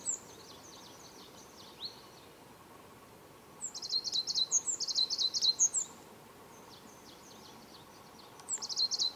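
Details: Tenerife blue tit recorded in Tamadaba Natural Park, Gran Canaria, March 2010: faint high ticking at first, then a clear burst of shrill chattering triplets, and a short final outburst near the end; soft ambient noise throughout.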